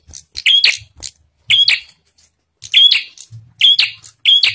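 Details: Lure song of a bar-winged prinia, meant to set other prinias singing: loud, bright chirps grouped in clusters of two or three, separated by pauses of about a second, with a soft low rumble between them.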